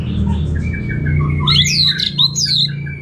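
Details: Orange-headed thrush, a kept bird in Singaraja, northern Bali, gives a short string of soft whistles, then a burst of high swooping and chattering notes, over a low humming background.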